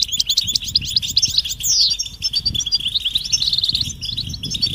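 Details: European goldfinch mating calls of the 'batbata' twittering type, played to bring silent males into song; a dense stream of high tinkling chirps with one bright descending slur near two seconds and a rapid rattle toward the end.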